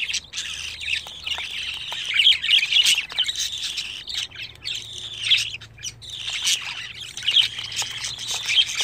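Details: Budgerigar chicks, 25 days old, give loud scratchy squawks and chattering calls in waves, with quieter stretches in between.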